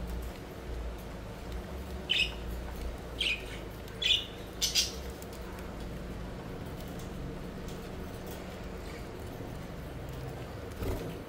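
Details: Budgies at play, flying about: four or five thin, high chirps spaced about a second apart early on, then a long stretch of steady low hum with only a faint note at the very end.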